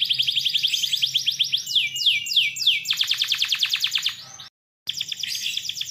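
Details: Gacor canary singing a long song said to draw replies from other canaries: a buzzy trill, then slurred whistled sweeps, then a dense rapid rattle, a brief dropout, and the song resumes with high trills.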